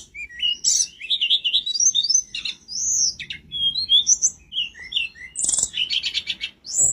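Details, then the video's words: Energetic mountain flowerpecker song recorded to tutor cage birds, a busy run of high warbled slurs, sharp chirps and a fast buzzy trill near the end. "burung tledekan gunung gacor"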